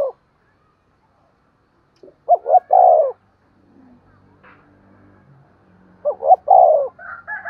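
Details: Morning lure call of a decoy spotted dove meant to attract wild birds. Two clear three-part coo phrases, each two quick hoots and a long falling coo, are about four seconds apart, with faint rustling between them and another high note at the end.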